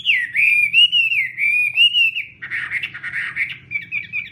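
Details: Chinese hwamei singing a long, flowing whistled phrase that wavers up and down without a break, then a rough, buzzy passage and a few short bright notes; low hum in the background.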